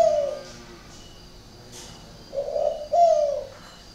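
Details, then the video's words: Spotted dove, a kept bird from northern Vietnam (Ba Vì, Hanoi), prized for an unusual call: one soft, low coo opens, then after a pause come two mellow hooting coos in quick succession, with faint room hiss behind. "cu gáy độc lạ hoắc"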